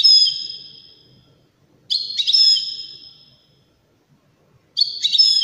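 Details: Loud, clear Widani goldfinch song: three phrases about two and a half seconds apart. Each holds quick stuttered notes and long ringing high whistles, with near silence between phrases.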